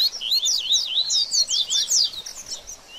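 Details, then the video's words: Double-collared seedeater singing in the baderninha style, used to stimulate a bird after moulting: a quick, lively run of high, sweeping whistled notes, some rising and some falling, pouring out continuously for about three seconds. "BADERNINHA DE COLEIRO Top Pra Esquentar Seu Coleiro Pós Muda De Penas!!!"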